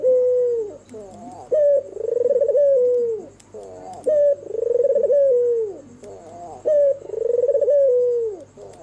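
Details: Night-time cooing of an albino Barbary dove with red eyes: a quick upward note leading into a long vibrating coo that droops at the close, three phrases at an even pace, faint background hiss.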